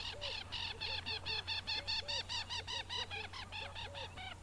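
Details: African jacana giving a fast series of harsh, squawking notes, about two per second, each with a rising and falling arch, over a steady low hum.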